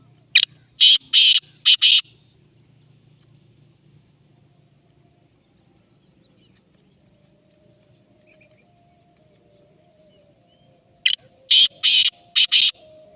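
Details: Two calls of a black francolin about nine seconds apart, each a rhythmic run of four or five loud, scratchy, grating notes, with quiet background between.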